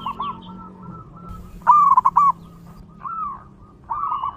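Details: Zebra dove singing in the wild, a local bird used as a lure for other zebra doves: one loud, staccato run of cooing notes amid softer, more distant cooing phrases and a low background hum.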